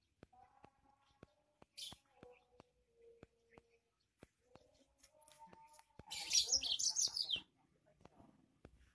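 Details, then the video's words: A yellow-fronted canary sings hard: a quick high chirp, then scattered clicks and soft mid tones, followed by a loud one-and-a-half-second burst of dense, high, chattering warbles. "burung mozambik suara gahar"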